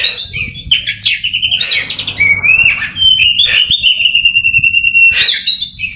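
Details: Contest-trained caged Oriental magpie-robin singing energetically: fast twittering jumbled phrases, then a long sustained steady whistle held for about three seconds, followed by more rapid chattering notes; slight low hum in the background.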